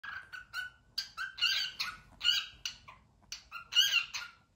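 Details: A white cockatiel gives a run of bright, chattering whistles and warbled notes in quick bursts, high-pitched and somewhat harsh, in a small indoor room.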